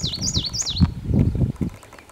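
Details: An odd Chestnut-sided Warbler song, Common Yellowthroat-like in cadence but wrong in quality: high, slurred notes swooping up and down three or four times in under a second, followed by low thumps and rumble.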